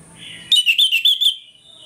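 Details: Ngeplong morning song of an orange-headed thrush, a lure to rouse aggression: about six rapid, rich whistled notes in under a second, each sharply attacked, over near silence.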